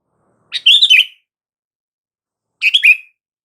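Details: Sooty-headed bulbul calls, used to make silent bulbuls respond: two short bubbly, chattering phrases about two seconds apart, each ending in a falling slur, in complete silence otherwise.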